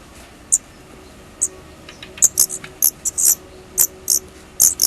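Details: Young Daurian redstarts leaving the nest for their first time give sharp, high-pitched squeaks, about a dozen over five seconds, spaced irregularly and sometimes doubled, over a quiet low rumble.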